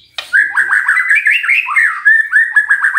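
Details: Magpie-robin song meant to prompt a quiet bird into answering: after a brief sharp onset, a continuous stream of fluty, slurred whistles wavers up and down with rapid, varied notes throughout.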